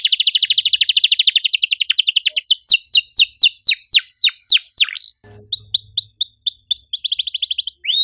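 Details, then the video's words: Canary song: a dense rattling trill, then loud sweeping downslurred notes, a brief pause, and renewed quicker whistled phrases with buzzy high elements. "PANCINGAN KENARI MACET GACOR NEMBAK RAPAT CUIT CUIT"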